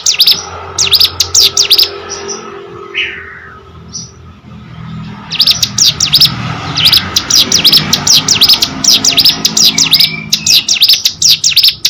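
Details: Hill prinia singing actively: an opening burst of sharp high notes, a quieter stretch with a few soft calls, then a long dense run of repeated chirping notes.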